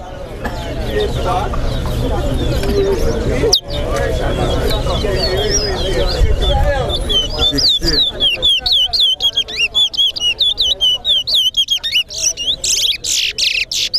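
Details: Chestnut-bellied seed finch (towa towa) singing at a bird-singing competition: a rapid string of sweet, slurred whistles rising and falling in pitch, clear in the second half after loud crowd chatter.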